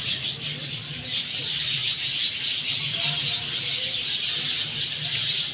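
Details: After monsoon rain in Sanghar, Sindh, a crowd of sparrows keeps up unbroken high-pitched chirping and twittering, many voices layered together, while faint low sounds hum underneath.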